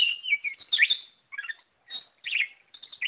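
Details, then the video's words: Oriental magpie-robin singing with vigor, a fluty whistle followed by quick clusters of sharp, warbling notes in short bursts with tiny gaps. "Burung kacer Lot Full Gacor"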